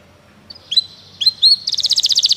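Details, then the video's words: Canary singing, played to encourage a canary to sing: two soft whistled notes, then a rapid pulsing trill of repeated high notes, with faint low background noise. "O som de um canário é eficaz para o seu canário cantar"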